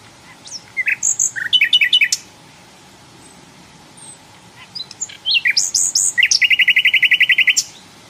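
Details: Wild flycatcher song in two bursts: first a couple of seconds of varied high chirps and whistles, then a pause, then more varied notes running into a fast, even trill of about sixteen repeated notes, with a faint steady hum behind.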